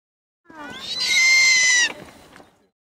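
A snowy owl gives one drawn-out, high, whistled scream about a second and a half long. It rises at first, then holds steady before breaking off, with nothing else audible.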